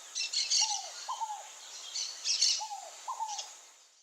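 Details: Wild Pale-breasted Thrush (Turdus leucomelas) visiting fruits in a Brazilian backyard: pairs of low, arched whistled notes about every two seconds, over a busy layer of high, bright chirps and twitters.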